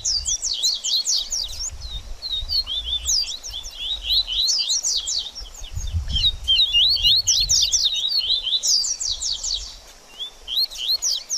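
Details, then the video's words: Double-collared seedeater singing in the baderninha style, used to stir up a bird after its feather moult: rapid bursts of sharp, high, sweeping chirps and slurred notes, phrases repeated every couple of seconds with brief gaps and faint low background rumble. "BADERNINHA DE COLEIRO Top Pra Esquentar Seu Coleiro Pós Muda De Penas"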